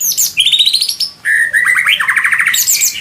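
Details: White-rumped shama from Indonesia in a training recording for songbirds: rich, fast song of sharp whistled notes, a high descending run, then rapid repeated staccato chips and buzzy trills, with no other sounds.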